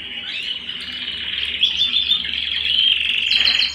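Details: Canary singing at home: a dense, fast, high trilling warble that rolls on without pause, its buzzy rattles and bright whistled notes growing louder toward the end.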